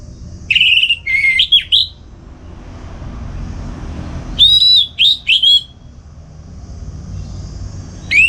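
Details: Morning song of a caged orange-headed thrush at home in North Bali, Singaraja, played for training other songbirds; loud clear whistled phrases in short clusters, long pauses between, another burst starting at the end.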